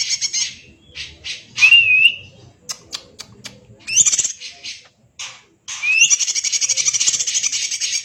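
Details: Greater green leafbird singing without pause in a style likened to a magpie-robin: harsh chattering bursts, sharp clicks and rising whistled slurs, ending in a long, rapid, buzzy trill.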